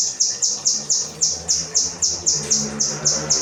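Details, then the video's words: Kinoi singing 'rambatan' material meant for tutoring other cage birds: crisp high chirps in a quick even series, each note a short downward flick, with soft low rumbling underneath. "burung kinoi materi rambatan"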